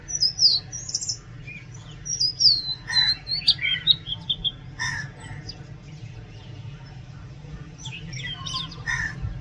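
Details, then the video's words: Oriental magpie-robin in full song: loud bursts of varied high whistles, trills and slurs, with sharp clicks between phrases, a short pause, then more rising and falling notes, over a constant low hum. "Oriental magpie robin Song"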